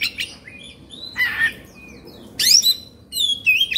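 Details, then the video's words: Agitated oriental magpie-robin, open-beaked and fanning its tail: scattered whistled notes, harsh buzzy bursts, then loud ringing phrases with bright upward-sweeping whistles. "Suara Kacer Emosi/Kongslet"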